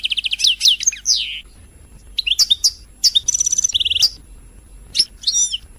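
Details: European goldfinch singing, used to stimulate other birds to sing: rapid bursts of bright, high twittering and chattering notes with buzzy trills and short pure whistles, in phrases broken by brief pauses.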